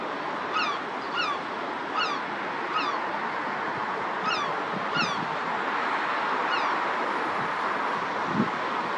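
A herring gull gives short, nasal, slightly downslurred calls in loose, irregular series, over a steady roar of surf or wind.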